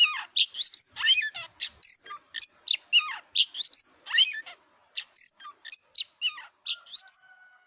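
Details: Singing tame white-rumped shama on a handler's hand: rapid, varied whistles and slurred notes in quick succession, ending with a short sustained tone.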